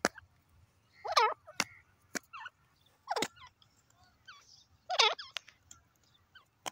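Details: Grey francolin, called teetar, calling in loud harsh bursts with wavering harmonic notes near 1.2 and 5 seconds, separated by sharp clicks and faint background chatter.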